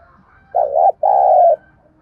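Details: Single thúc gù phrase from a spotted dove used to lure birds into a trap: a short, dipping low coo and then a longer, steady, husky coo.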